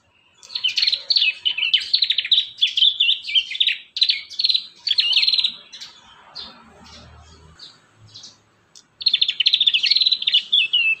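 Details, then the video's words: Lure recording for training young prinias to sing: long, busy series of sharp, high, rapidly repeated chirps in several phrases, a pause near seven seconds, then chirping resumes. "Masteran | pancingan burung prenjak muda | prenjak bakalan"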